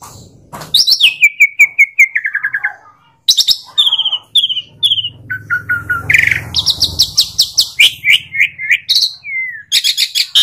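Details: Asian pied starling song of rapid chattering trills and descending whistle series, broken by a short pause, then dense clicking notes and whistled slurs, with a faint low rumble in the middle.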